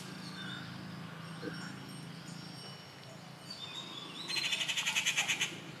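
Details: Rufous treepie at Kattupadi, June 19, 2021, giving a quick run of loud, harsh rattling notes near the end after a quiet stretch of faint notes and low hum.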